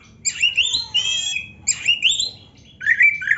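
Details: Oriental magpie-robin, black-breasted form, singing a rich, varied training song meant to excite other magpie-robins. Bright whistled phrases rise and fall, with sweeping slurs and short warbled notes in three bursts, over a faint low hum.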